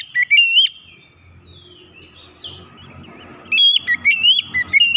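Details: Song of an oriental magpie-robin, played to spur stalled or stressed birds into singing: a short burst of sharp whistles, a pause with faint background warbling, then a string of rapid, rising whistled notes.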